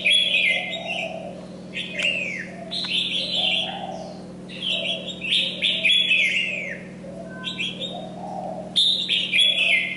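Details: Molting red-whiskered bulbul singing energetically, about four phrases a second in bursts: bright slurred whistles, several sweeping down at the end, separated by brief gaps; steady low hum in the background.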